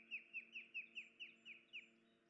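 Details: Osprey calling at its nest on 10 July 2019 while the injured female could not feed the chicks; eight clear, slightly down-slurred whistled chirps in quick succession against a faint mechanical hum.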